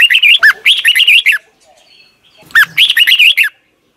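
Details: Red-whiskered bulbul from Thailand singing a repeated, doubled phrase used to teach caged young birds: two loud bursts of rollicking, slurred whistles, each about a second long, separated by a brief quiet pause.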